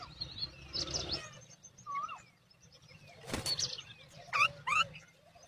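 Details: Mother myna calling her chicks to feed while they stay silent; scratchy chatter, a looping whistle, wing flutter, then two sharp harsh notes near the end over low background hum.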